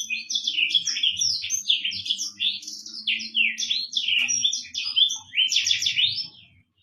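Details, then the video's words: A Black-throated canary sings a fast, unbroken warble of high, twittering and trilled phrases, with a faint low hum underneath. "MASTERAN BURUNG AFRIKAAN / BURUNG BLACKTHROAT"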